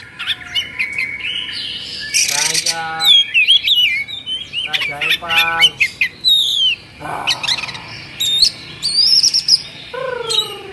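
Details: Kacer (Oriental magpie-robin) in an emotional, agitated state, fluffing its feathers; varied song mixing high whistles, buzzy harmonic rattles and downslurred notes in dense bursts throughout.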